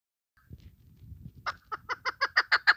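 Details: Female Chukar partridge calling, recorded to lure birds for hunting: a low rustling sound, then a run of clucking chuk notes that grows louder toward the end.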